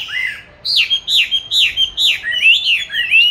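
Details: Caged oriental magpie-robin under song training, kept since 29 July 2020 and recorded 22 March 2021; a repeated phrase of rising, arching whistles roughly every half second, loud and clear.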